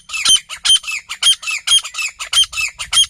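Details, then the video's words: A desi grey francolin, one of a pair, in jungle calls loudly: harsh, scratchy, high-pitched notes repeated about twice a second in a steady, insistent series. "تیتر شکار بولی"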